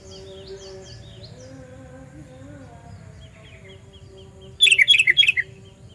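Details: Sooty-headed bulbul with a loud, piercing call used as a lure for catching bulbuls: a sudden burst of quick bubbly whistled notes near the end, after faint distant chirps and low background hum.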